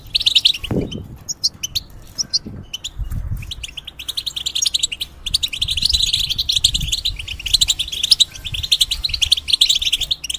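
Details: ['Caged European goldfinch tutoring hybrids: a few loose chirps open, then a long, steady stream of quick, tinkling and buzzy notes, with low thuds below.']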